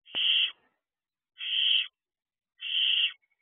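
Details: Barn owl owlets out of the owl box at night, 3:00 am, June 2023: three harsh, hissing screeches, each about half a second, spaced roughly every 1.2 seconds, with silence between.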